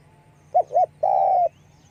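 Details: One phrase from a spotted dove calling with wing flapping: two brief, soft coos and then a long, even, mellow croon of about half a second, over a faint low hum.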